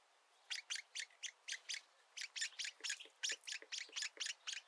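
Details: Woodpecker nestlings being fed, heads out of the nest for the first time; a quick series of buzzy chirps, about four a second, with short low ticks in the later part.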